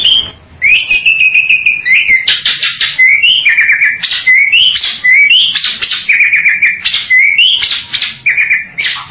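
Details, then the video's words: Bali myna calling loudly in a varied sequence of clear whistles, sliding and stepping notes mixed with sharp harsh bursts, phrases following one another without pause. "SUARA BURUNG JALAK BALI"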